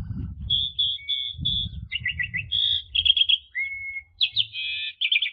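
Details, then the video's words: Asian pied starling song used as a master for juveniles: sustained clear whistles, short rapid trills, a level mid-pitched whistle and buzzy warbles, with low rumbling noise at the start. "JALAK SUREN KUALITAS TERJAMIN!!! PANCINGLAH JUNIOR ANDA PAKAI MASTERAN INI"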